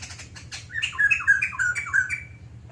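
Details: White-crested laughingthrush in sustained song: after some rustling, a quick chain of six or seven clear whistled notes, each sliding down in pitch, delivered evenly over about a second and a half, with a steady low hum behind.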